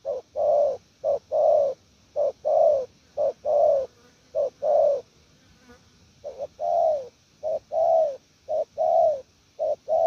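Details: Wild-caught spotted dove giving a long, lively series of 'gù lèo nước' coos: brief clipped notes alternating with fuller descending hoots, a short lull midway, then the rhythm resumes.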